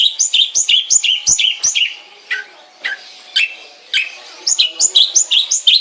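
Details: Long-tailed shrike kept at home, repeating quick two-part chirping phrases, pausing with a couple of lower slurred notes, then resuming the rapid chirps.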